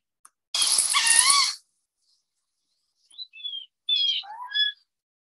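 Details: Wood duck from the Chicago area, where many live at the slough in Prospect Heights: one harsh, squealing cry that rises and falls, then after a pause several thin, squeaky whistled notes sliding downward.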